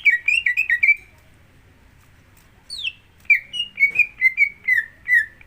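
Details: Greater green leafbird song used to lure another leafbird into song: a quick cluster of slurred whistles, a long silence broken by one high note, then evenly repeated falling whistles.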